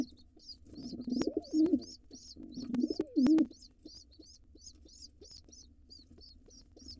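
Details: Wild intruder male pigeon in a nest box, attacking nestlings while the parents are away to take over the box: low throaty coos in two bursts, with faint high chirping in the background throughout.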